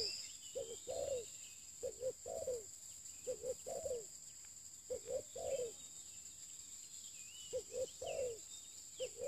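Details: Spotted dove used for luring, calling a rhythmic series of phrases roughly every two seconds, each two short hollow notes and a longer sliding coo, over a continuous thin whine and soft background chirps.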